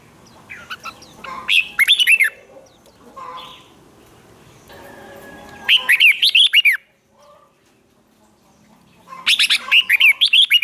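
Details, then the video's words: Red-whiskered bulbul contest singing to stir other birds to respond: three separate loud bursts of rapid, sweeping whistled notes, each about a second long, with quiet gaps and faint rustling between them. "Kích Chào Mào Hót Ché/ Kích chào mào hót đấu hay nhất,bổi nghe là hót theo,khiến bổi ức chế căng lửa"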